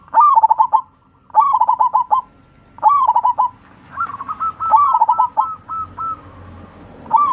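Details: Zebra dove, local wild-type bird, song played to prompt lazy birds to sing: repeated phrases of soft, rapid, stuttering coos, each opening with a rising note then a staccato trill, about every 1.3 seconds, one longer phrase near the end.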